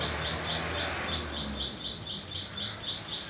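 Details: Hand-reared velvet-fronted nuthatch chick, newly perching and learning its voice, repeating short, high, piping notes about four times a second against a hissy background.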